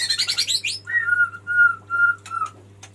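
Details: Male white-rumped shama calling the female: a rapid chattering burst, then four clear, level whistled notes repeated about every half second, with a constant low hum behind.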